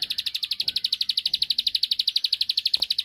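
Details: Bar-winged prinia singing an unbroken, very regular rattle of rapid high chip notes, about ten per second, steady in pitch and loudness throughout. The song is meant to draw a rival's reply.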